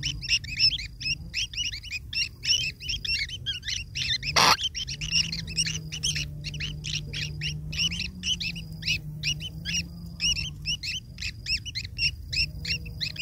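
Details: Long-tailed shrike chicks beg for food from their parent in a long, nonstop stream of rasping, rapid chirps, with one loud thump near the start and a soft low hum.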